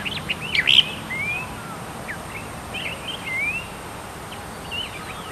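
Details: Tektekreyod bird giving a burst of sharp high chirps followed by two thin rising whistles, then softer scattered notes against a steady background hiss.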